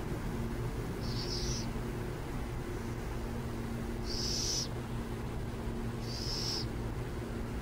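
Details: Burrowing owls near San Jose utter three breathy, rasping hisses at intervals of about two seconds, over a steady low drone of road noise.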